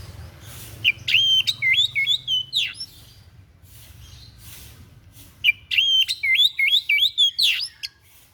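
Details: Odd song of a white-breasted bird, used as a training recording: two bursts of clear whistled phrases, each a chain of short looping slurs rising and falling, separated by a pause of nearly three seconds, with faint low hum.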